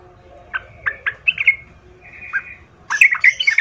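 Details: Lure song of a vigorous Sooty-headed bulbul, used to provoke rival bulbuls to answer and fight: spaced, sharp whistled notes and a drawn-out buzzy trill, ending in a dense burst of chattering phrases over a low background hum.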